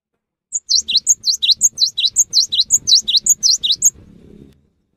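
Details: Cinereous tit pouring out a lively, evenly paced string of high whistles to coax other tits to sing, alternating a short top note with a lower dipping note, around eighteen notes over three and a half seconds.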